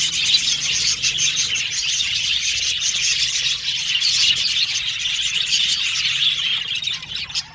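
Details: Budgerigars chirping together in a steady, high, scratchy babble of warbles and tweets, with a faint low hum in the background.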